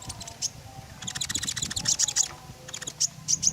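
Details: Singing common iora, a recording meant as a lure for other birds, giving rapid runs of high, sharp ticking notes, then a few spaced bright chips, over a low steady hum.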